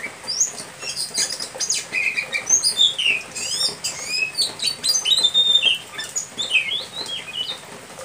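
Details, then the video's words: Oriental magpie-robin (kacer) in a wet 'setting basah' state, holding one perch while performing its ngobra display and pouring out isian fill-in material: dense, rapid stream of sharp high chirps, sweeps and trills overlapping continuously, with a faint hiss behind. "Kacer Satu Titik Tahan Ngobra Muntah Isian"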